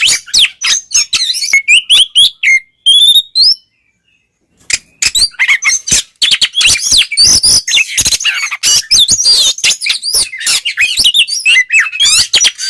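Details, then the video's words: White-rumped shama, the style called ngeplong, used to provoke other shamas into aggression; a dense run of sharp, high chirps and quick whistled notes, broken by a pause of about a second midway, then a rapid torrent of varied clicks and trills. "suara burung Kacer NGEPLONG cocok buat pancingan Kacer agar emosi"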